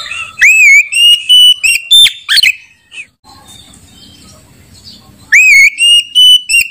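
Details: Oriental magpie-robin in bright, ringing, unceasing song: clear whistled phrases that rise and then hold, broken by quick chirps, a pause with faint background noise, then the rising whistles return.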